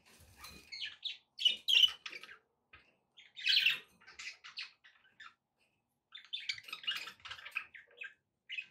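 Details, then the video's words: Pet budgerigars kept as company for a parrot, meant to encourage eating and singing; busy scratchy warbles, squeaky chirps and buzzy notes in clustered bursts with brief quiet gaps. "budgie sounds to encourage your parrot to eat and sing"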